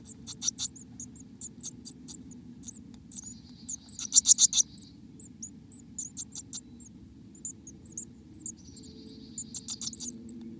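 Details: Black-capped chickadee heard from inside its nest: bursts of very high, thin, rapid chipping notes in short clusters, some louder runs and faint buzzy trills, over a steady low hum.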